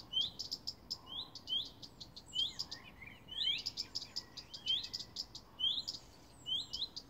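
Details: Common redstart warning in a garden, one of a pair that keeps calling for hours: repeated rising whistled notes followed by quick series of hard clicking ticks.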